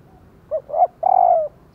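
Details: Female spotted dove calling to set males cooing: a single mellow phrase with a short hoot, a louder rising coo and a drawn-out, gradually falling coo.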